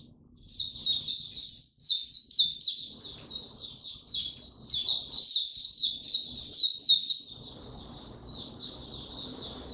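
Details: Oriental white-eye singing on 25 January 2022 after sleeping late the night before: rapid, high twittering phrases of short chirps and trills, loud and continuous for about seven seconds, then fading into quiet background noise.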